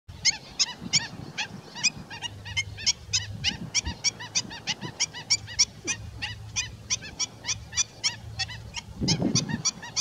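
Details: Black-winged stilt (Himantopus himantopus), call.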